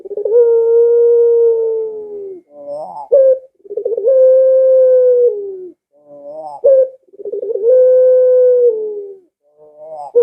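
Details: Barbary dove calling in a steady cycle, used to lure doves at home to join in: three long low coos, each led by a rapid rolling stutter and followed by a short rising, cut-off note, about every three seconds.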